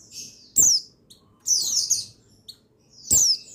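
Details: Male buxtoni white-eye song, used to stir white-eyes into singing: three bright, high, buzzy bursts of quick descending twittery notes, about a second apart, with faint low clicks beneath.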